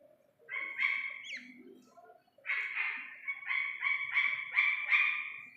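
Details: A chick of the Iranian partridge makes a couple of nasal notes, one with a sharp upward flick, then after a pause a fast string of rich harmonic notes that grows steadily louder.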